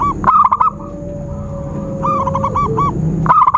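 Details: Zebra dove calling, played to lure birds into traps: a quick run of short, round, pulsed coo notes in the middle, framed by rattling clatter at both ends. A long lower whistle and a faint high hum continue.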